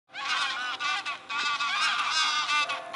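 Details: Large flock of geese flying over Eaton Hall and an 1890 obelisk in Cheshire, England, on 28 August 2022; a dense, continuous chorus of overlapping nasal honks with many harmonics, barely pausing across the stretch.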